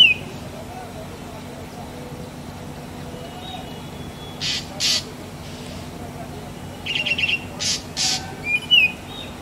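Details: Calling black drongo, Dicrurus macrocercus (Bengali ফিঙে): a whistled note opens, then after a quiet spell two harsh rasps, a rapid chattering burst, further rasps and a final rising whistle. Low steady hum underneath.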